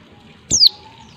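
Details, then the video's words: A single loud, thin, downslurred call from a female white-eye, meant to stimulate males to sing. A sharp click at the onset leads into the steep fall in pitch, over a quiet steady background. "pleci betina untuk merangsang bunyi pleci bahan"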